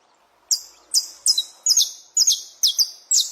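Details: Saffron finch singing its dawn song, the alvorada, in the wild: after a brief silence, seven sharp, high, downslurred chirps come about every half second against a quiet background.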